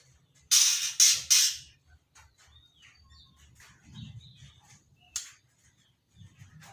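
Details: Practising juvenile white-rumped shama, about three months old, opening with three loud rasping bursts in quick succession, then faint scattered chips and a single later burst, with a soft low hum.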